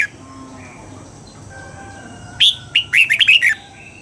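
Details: A captive Red-whiskered bulbul being trained to sing double notes gives a short burst of bright, bubbly whistled song, about seven quick phrases in a second, over quiet hiss and faint background chirps.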